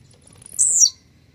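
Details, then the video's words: Blue-black grassquit, called grumpy and warmed up, delivering a single sharp, high-pitched buzzy note that falls quickly in pitch; low background murmur only. "esquenta seu tiziu🔥tiziu rabugento"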